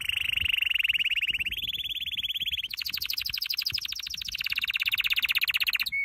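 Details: Canary training song made of steady rolling trills that step up in pitch, then a fast, very high pulsing trill, ending in a brief clear note.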